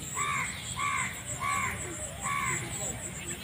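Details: Domestic geese on a farm in a rice field give four arched, ringing honks, each roughly a third of a second long and repeated about every 0.6 seconds, over a steady high insect whine.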